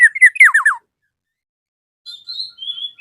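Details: Black-naped oriole calling a rival: a fast series of loud, downward-slurred notes, then after a pause soft level whistles.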